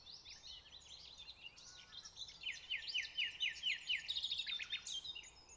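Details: Common nightingale singing at Pulborough Brooks nature reserve: scratchy varied notes, then a fast run of about ten sharp repeated chips, then high tinkling phrases and a short descending slur; faint background hiss.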